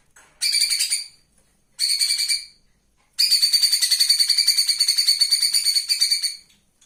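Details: A scarlet-headed flowerpecker, a live bird used as a song model, gives three bursts of very high, thin, rapid chittering notes, the last a fast buzzy trill lasting about three seconds.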